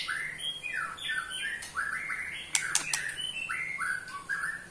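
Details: An 8-month-old White-rumped shama pours out clear, falling whistles in quick phrases, broken midway by a few sharp, dry rattling clicks (ketrekan) meant to provoke other shamas.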